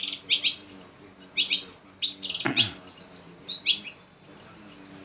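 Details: A shrike (pentet) sings a rapid, varied string of high chirps, trills and squeaky notes in short bursts, showing off a large repertoire of fill-in phrases, with a steady low hum underneath.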